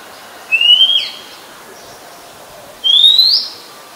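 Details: Very common resident Oriental magpie-robin singing at Ubon Ratchathani, Thailand, 17 July 2021: two sharp rising whistled phrases about two seconds apart, each with a brief tail note, over a quiet background.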